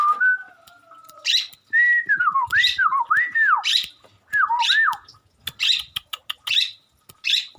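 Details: Long-tailed shrike in full mimicking song: drawn-out whistles give way to a string of looping, down-slurred whistled phrases, then high buzzy notes and sharp clicks in uneven bursts.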